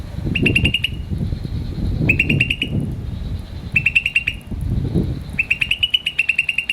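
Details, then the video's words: A green starling gives short bursts of fast, high chirps, four bursts separated by gaps of about a second, over a steady low rumbling background. "Green Starling Chirping Sound"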